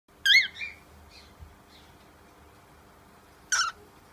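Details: Baby cockatiel giving two short, harsh calls with a falling, harmonic tone, one near the start and one about three seconds later, with quiet background between them.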